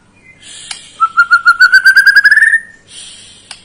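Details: Lure song of a white-rumped shama meant to excite a young bird: soft hiss, then a quick rising trill of bright repeated notes lasting about a second and a half, ending in faint high sounds.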